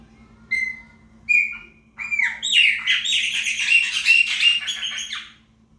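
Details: Chopi blackbird singing to mark its territory: a few clear whistled notes, then a rich, fast warbled run of varied chirps and whistles for about three seconds.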